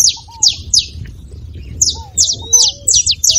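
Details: Saffron finch song intended to get a reluctant bird singing: a few spaced high slurred chips, a short gap, then quicker paired notes, over low gentle whistles.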